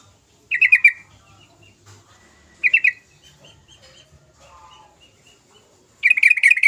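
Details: Sooty-headed bulbul (trucukan) singing energetically as a lure recording meant to get quiet bulbuls singing: three bursts of quick, rippling chattered notes separated by pauses of about two to three seconds, with a faint steady high tone behind.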